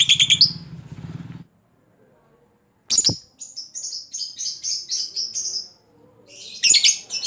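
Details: Lovebird calling a rival with long chatter. An opening shrill rattle fades to a pause, then a sharp shriek leads into a run of bright, rapid high notes, ending in a harsh squawky flurry.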